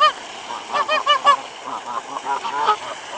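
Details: Geese being fed bread near a waterfall, 26 February 2013, cold with withered grass; a cluster of quick honks early, then softer scattered honking fading under background rush.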